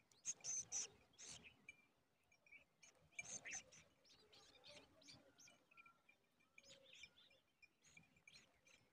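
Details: Large woodshrike at a nest crowded with many chicks, giving bursts of thin, high chirps and squeaky notes with short whistled tones between, fairly faint against a quiet background.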